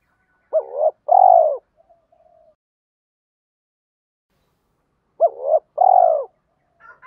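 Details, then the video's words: Spotted dove cooing, a recording meant to stimulate trained doves; two phrases of a brief hooked note followed by a longer falling coo, about four seconds apart, with a faint thin tone between. "Tiếng chim cu gáy"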